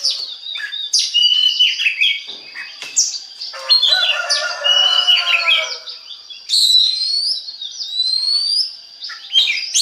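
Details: Oriental magpie-robin song meant to get other kacer singing: energetic jumble of whistles, chatters and rising thin notes, with a layered buzzy passage midway and a constant high background tone.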